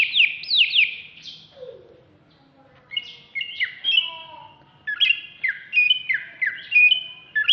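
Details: Contest-ready greater green leafbird of Alas Purwo stock, caged in Jatiasih, Bekasi, singing agitatedly: a burst of steep descending whistles, a brief lower rasp, then lively repeated chirping phrases of slurred whistles leaping up and down.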